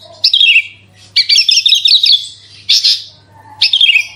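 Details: Horsfield's bush lark delivering loud 'roll tembak' song to trigger other larks: long runs of rapid, buzzy chattering notes broken by short pauses, then a downward-slurred chirp phrase.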